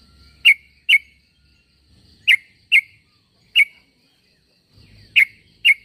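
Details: A sooty-headed bulbul gives its summoning call to get other bulbuls to reply: paired quick bright chirps, repeated in three bursts with pauses between, and a thin constant tone in the background.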